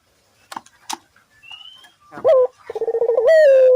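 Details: Barbary dove calling, recorded as a lure for other doves: after a few faint clicks, a sharp rising note and then a pulsed, slowly falling coo. A thin whistle sounds beforehand.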